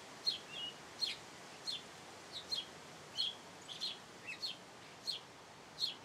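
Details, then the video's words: A house sparrow chirps steadily, about a dozen clipped, high notes coming at an uneven rhythm of one every half second or so, with low background hiss beneath. "Gorrión cantando"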